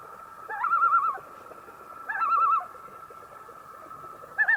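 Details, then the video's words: Common loon (Gavia immer) gives three bouts of wavering, quavering tremolo-like notes, each about half a second long, over a steady mid-pitched tone against a quiet background. "Common Loon Bird Call"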